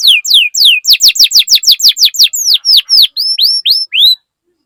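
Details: Loud canary song as a lure for other canaries: a rapid run of sharply downslurred whistled notes, about four per second, slowing toward the end into separate rising-then-falling whistles before silence.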